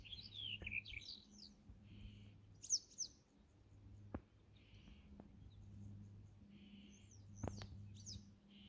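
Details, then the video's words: A male Black-headed Bunting (Emberiza melanocephala) sings short bursts of bright chirping notes, with a low steady hum and a droning insect-like buzz behind. "Black-headed Bunting: singing male"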